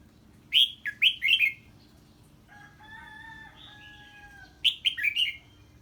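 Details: Red-whiskered bulbul singing 'ché' on hearing a strange bird: two bursts of four rapid, bright, falling notes framing a steadier, drawn-out tonal whistle in the middle.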